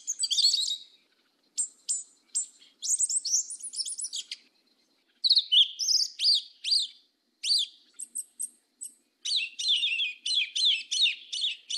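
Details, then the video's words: Yellow-legged thrush, a forest-edge and mountain songbird of Brazil, pouring out a long varied 'mateiro' song of high whistles, squeaky slurs and crisp chips in closely spaced bursts with short breaks. "SABIÁ PRETA CANTO MATEIRO DO SUL"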